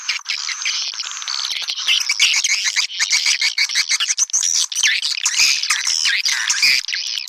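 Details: Swiftlets in a calling-sound recording used to attract swiftlets: a dense, continuous chorus of high, rapid chirps and twittering squeaks from many birds, overlapping without pause, with short buzzy bursts and no other clear sounds.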